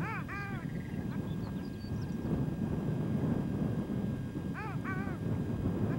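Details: Male long-tailed duck on a small pond near One-Eyed Jack Lake, Victoria Island, Nunavut, during spring arrival; two arched yodelling notes open the recording, a quiet gap follows, then another paired yodel near the end, with strong wind noise throughout.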